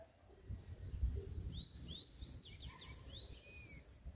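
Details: Double-collared seedeater singing the mateiro-style song, used to stir up males: a rapid run of high, slurred whistled notes, many rising or falling, growing denser and more tangled toward the end, over a low rumbling background.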